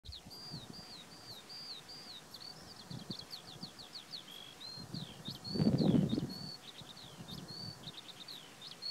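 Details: A Eurasian skylark singing at Alto de las Nieves, Cantabria, Spain, pours out a long, unbroken stream of high, chirruping and trilled notes, while low gusts of wind and rustling surge underneath, strongest midway.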